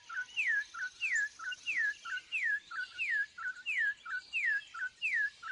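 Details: A troupial (Icterus icterus) calls with clear whistled phrases, a falling slurred note with a short low note beside it, about every 0.7 seconds, over a steady high hiss.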